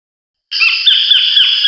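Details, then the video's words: Collared Kingfisher (Todiramphus chloris) giving a harsh, grating screech held for about a second, with slight wavering in pitch. "白領翡翠/Collared Kingfisher"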